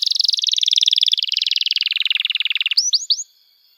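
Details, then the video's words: Canary singing for young birds to learn: a long, fast buzzy trill sliding gradually lower in pitch, followed by three quick rising whistled notes. "Kenari Gacor Panjang Cuit Cuit Emosi, Pancingan Kenari Paud Belajar Bunyi"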